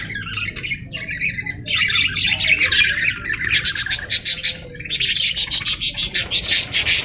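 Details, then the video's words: Parrot calls start as scratchy chatter, then turn into rapid pulsed squawks repeated several times a second in short bursts. "parrot sound"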